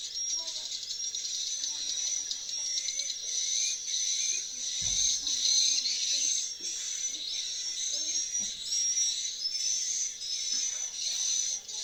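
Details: Swiftlets returning to a swiftlet nest house fill the air with a continuous dense layer of high, thin twittering chirps, with a few faint low knocks underneath.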